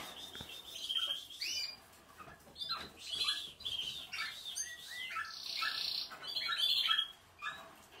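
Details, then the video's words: Canary, with Portuguese Harlequin, Spanish, Malinois and Spanish Timbrado breeds named, singing fairly softly: chirps and warbled phrases, rolling trills and high notes over faint background hiss. "#Canary#Arlechin Portughez#Raza Espaniol# Malinois și Timbrado Espaniol"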